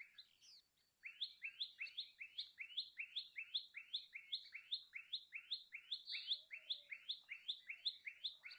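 A Common Tailorbird repeats a loud, sharp, two-part chirp nearly three times a second in a steady, insistent run, with nothing else heard.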